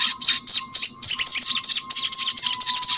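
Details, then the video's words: Crimson sunbird singing a fast run of sharp, high chirps, roughly eight per second, as a lure recording to encourage sluggish birds of its kind to sing; a faint steady tone sits underneath. "MASTERAN SOGON ( sogok ontong ) BAHAN AGAR RAJIN BUNYI"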